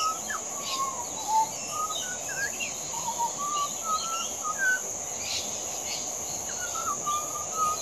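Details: Adult Pied Butcherbird singing: a run of clear, fluting whistled notes around the mid range, some sliding up or down, spaced through the phrase, over a steady high insect drone and faint background chirps.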